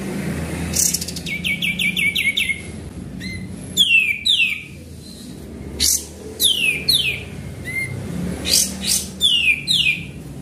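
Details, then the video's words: Lure recording of a sooty-headed bulbul singing actively: a string of sharp downward-sliding whistles, often doubled, interspersed with short buzzy bursts and faint low rumble behind. "Pancingan Burung Kapas Tembak Gacor"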